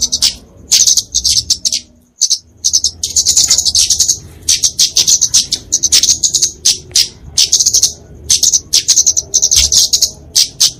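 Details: A kemade flowerpecker (Dicaeum) gives fighting song, a recording used to train songbirds and lure small birds. Bursts of high, sibilant chips and fast trills run on after a brief silent break early on.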